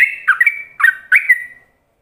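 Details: Yellow-vented bulbul ropelan song, recorded as a training lure for other bulbuls: three quick, bright, slurred whistled phrases, each dipping then rising, the last trailing off into a sustained whistle before silence.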